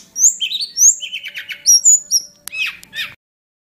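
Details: Hill prinia lure call used for tutoring: rapid sequence of high whistled notes and downward-sweeping chirps, short clipped phrases, then a pair of harsher, broader calls before abrupt silence.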